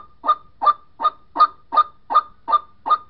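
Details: White-breasted waterhen calling to its mate, from a lure recording used in trapping: a rapid series of harsh, nasal, honking notes, about eight in three seconds, evenly spaced, with no other sounds.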